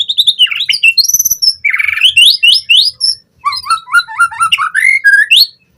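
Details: Captive white-rumped shama lure song for training birds: high whistled notes swooping down, a buzzy trill, then rapid rising slurred phrases repeated several times a second in a long, varied stream.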